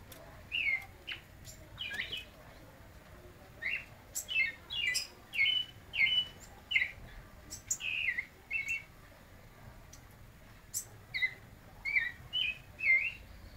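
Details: White-necked thrush singing at midday: short whistled phrases and slurred notes repeated in bursts every second or so, with brief pauses between groups; quiet background.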